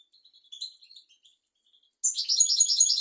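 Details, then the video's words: European goldfinch tutor song for young goldfinches and canaries: quiet scattered high notes first, then from two seconds a loud, rapid, ringing twittering run. "تغريد طائر الحسون حفاضة لتعليم طيور الحسون والكناري"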